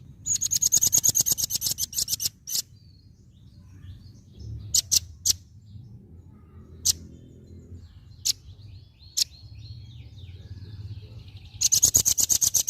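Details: Velvet-fronted nuthatch in energetic song: a rapid burst of piercing high chattering notes opens and closes the recording. Sparse single sharp chips fall in the quieter middle over a low background rumble.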